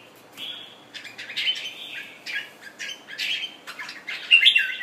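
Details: Red-whiskered bulbul from Thailand, a kept bird fresh from moulting, sings short rich warbles and slurred whistles in quick succession, mixed with clicks and flutter sounds, loudest at the close.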